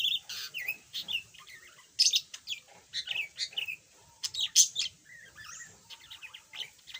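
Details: Chattering yellow budgerigar, previously silent, now warbling: quick runs of squeaky chirps and harsh buzzy notes, with a few loud sharp clicks mixed into the stream.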